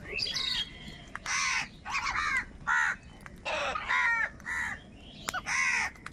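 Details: Amid a crowd of wild crows contesting food, harsh nasal caws come one after another roughly every half second, separated by short gaps.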